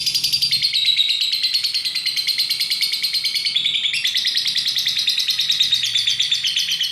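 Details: Competition lovebird, a champion fighter bird kept for duration contests, singing while swaying: a long, unbroken, high, buzzy chatter of rapid pulsed notes, about three per second, pitch wavering and stepping up midway; faint background rustle.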